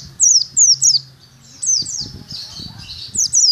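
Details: Caged Oriental white-eye in training at a cemetery, giving high, thin downslurred whistles in quick pairs, with low thumping and handling noise in the middle.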